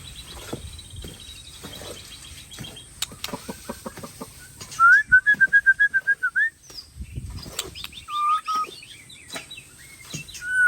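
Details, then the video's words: Song of a Tangse-origin white-rumped shama from Aceh: soft clicks give way to a loud string of repeated whistled notes, then varied chattering and whistled phrases, over a faint high hiss. "Murai Aceh Ori Tangse Super top"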